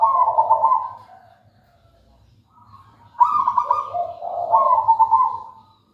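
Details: A singing local wild-type zebra dove delivers two trilled cooing phrases, each a quick rolling series of notes that starts bright and slides into lower purring tones, with a quiet gap between and a faint low hum.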